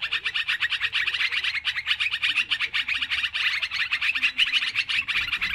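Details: Many sooty-headed bulbuls chattering noisily in an MP3 trapping lure: continuous fast, bright chirps layered over one another with no pauses.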